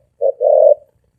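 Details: A single quick spotted dove phrase in 'thổ ồm vang' style: a brief low coo, then a longer, smooth, sustained hollow coo.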